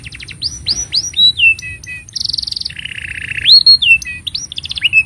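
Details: Master-style canary song for teaching juvenile canaries: quick chips and swooping whistles, a dense buzzy burst, then a long rolling trill and more rising sweeps, loud over a faint hum.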